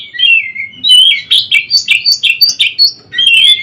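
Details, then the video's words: Oriental magpie-robin (kacer) daily mastering song: a descending whistled slur, then a quick series of bright, rhythmic chirped notes about every quarter second, ending in a rich warbled phrase after a brief pause. "Masteran Burung Kacer Harian"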